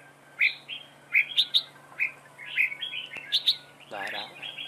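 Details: Red-whiskered bulbul acting as a trap decoy, singing dueling song in choppy whistled phrases with sharp accented notes. A human voice breaks in near the end, and a faint background hum is present.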